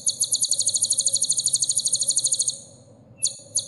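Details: Sunbird song from a training recording used to teach caged birds: a rapid, very high buzzy trill for about two and a half seconds, then a short pause and two brief high notes, over a steady low hum.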